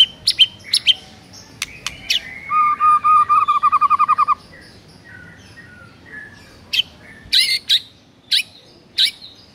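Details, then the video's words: White-rumped shama morning training song meant to provoke rival birds: sharp high chips, then a steady run of rapid buzzy trilled notes, followed by scattered sharp clicks and chips after a pause. "GAK LAMA , MURAI LAWAN AUTO NARUNG DENGAR MASTERAN PAGI HARI INI"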